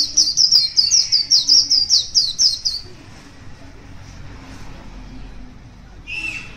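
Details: Wild white-eye morning song, a rapid series of high, chirpy warbled notes for nearly three seconds, then quiet, ending with a short harsher call.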